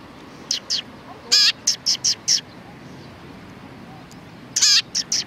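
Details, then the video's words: Chattering sparrows, 31 October 2019: one rough, grating note followed by a string of four short bright chirps, a silent stretch, then another rasping note with chirps. "可愛いすずめ達 20191031 1（くっつき君と意味不明な会話）"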